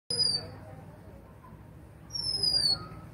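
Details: Oriental magpie-robin calling: two long, clear, high whistles, each sliding slowly downward, separated by a pause of nearly two seconds, in a quiet setting.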